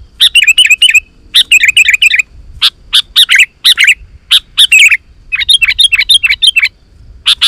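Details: Sooty-headed bulbul in vigorous song meant to call in wild bulbuls: repeated bursts of rapid bubbly, liquid chirps, with single sharp notes between the phrases and a quiet background.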